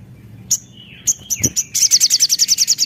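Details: Javan cochoa singing actively, used as a lure to stimulate other birds to sing: thin high whistles, one sliding downward, then short sharp notes, ending in a fast rapid trill of about a dozen piercing notes.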